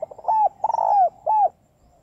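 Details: Female spotted dove calling to rouse males: a single loud phrase of soft stuttering notes, a rapid rolled burst, then two smooth, bowed coos, ending in near silence.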